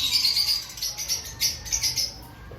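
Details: Lovebirds kept in an aviary ahead of the breeding season, giving a stream of shrill, high chirps in quick bursts, several overlapping notes rising and falling in loudness over a low steady hum.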